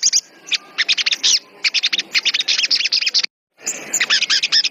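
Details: Agitated sogon singing vigorously: a dense, rapid stream of sharp, high chirps and squeaky notes in quick bursts, with one brief break partway through.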